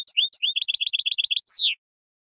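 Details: European goldfinch in wild field song for training caged birds: a few loud, varied high whistled notes, then a fast even trill of short repeated chirps, ending with a long, buzzy, downward-sliding note.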